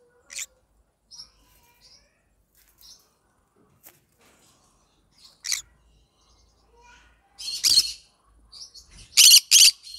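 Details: Yellow-sided green-cheeked conure giving sparse short squeaks and clicks, then louder raspy chatter and two harsh squawks near the end.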